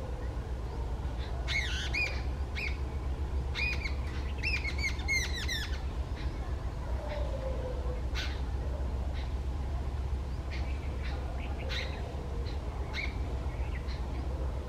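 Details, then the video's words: Jungle babbler from the Indian subcontinent, an agitated bird calling loudly: bursts of harsh, squeaky, chattering notes in quick clusters during the first six seconds, then scattered sharper chips, over a steady low rumbling background hum. "Calls of a Jungle Babbler"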